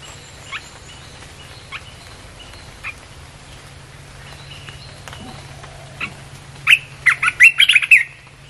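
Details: Red-whiskered bulbul song used to lure wild birds: faint, widely spaced chirps at first, then a sudden loud run of quick bubbling whistled notes near the end.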